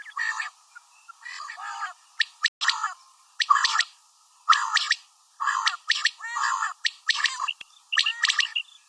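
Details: Calling female common quail giving grouped rasping, buzzy bursts at an uneven pace, some doubled, with short sharp ticks between the longer notes.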